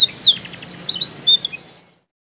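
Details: Kept canary from Comal, Pemalang, Central Java, Indonesia, singing a brief, high, sweet phrase of quick twittering slurs and trills, ending abruptly in silence.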